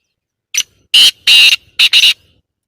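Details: Black francolin (kala teetar) calling: a short sharp opening note, then two longer harsh grating notes and a quick double note, loud and close, in a quiet background.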